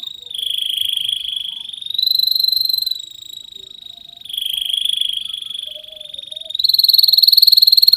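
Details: Vigorously singing canary used as a tutor so young canaries start singing sooner: four long buzzing, finely pulsed rolls in a row, alternating lower and higher pitch, each lasting one to two seconds, in a quiet background.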